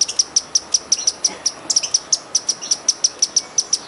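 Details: A wild hummingbird gives a fast string of thin, very high ticking chips, about five a second, with a brief cluster of fainter squeaks midway.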